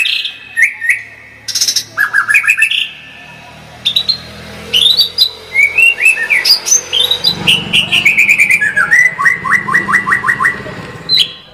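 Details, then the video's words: Gacor murai batu (white-rumped shama) song with tembakan: scattered whistles and squeaky upslurs, then a run of bright rising notes and a rapid series of about seven quick descending chirps, with a faint low hum behind. "kicau murai batu gacor full tembakan"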